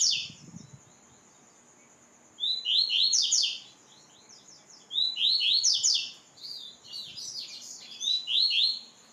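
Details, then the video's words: White-throated seedeater (coleiro baiano) song for training: three bursts of bright, buzzy, descending chirped notes, each phrase of several slurred syllables, with a steady high hiss and a brief low thump at the start. "Coleiro Baiano x Capim Marmelada x Treinamento"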